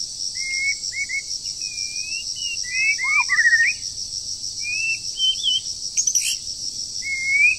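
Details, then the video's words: Wild bird in moult singing in the breeding season during training: scattered whistles, a dense tangle of slurred notes in the middle, a sharp click, and a final rising whistle over steady high hiss. "Chim Rừng Đang Thay Lông Mà Chíên Quá • Dợt Chim Mùa Sinh Sản"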